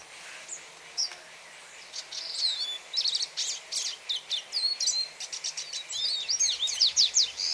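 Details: Hooded siskin song opening with a few sparse high chirps, then bursting into a fast, lively twitter of sharp notes, rolling trills and upward and downward whistled slides.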